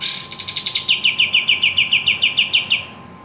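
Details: A Javan kingfisher in full voice gives a loud, high, dry rattle of clipped notes, about five a second, for nearly three seconds. The rattle fades slightly at the end over a constant low hum.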